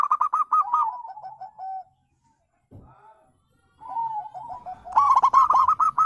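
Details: Zebra dove calling, a wild-bird call used as a lure to make other birds answer: rapid runs of short, bright, trilled cooing notes that slide downward, a pause with a soft thump, then another fast, louder staccato run.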